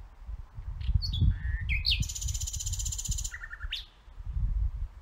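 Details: Nightingale song of sliding whistled notes stepping down in pitch, then a long rapid buzzy trill, over steady low rumbling background noise.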